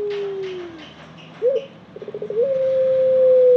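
A ringneck dove gives low, soft coos: a falling hum, a short rolling burst, then a long steady coo. There is a faint higher rustle in the background.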